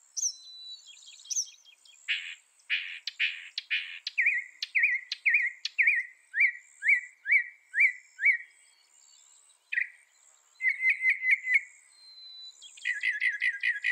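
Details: Northern mockingbird singing a varied sequence: high thin notes, a few harsh buzzy bursts, a long run of repeated downslurred chirps, then quick trilled phrases, changing pattern every few seconds.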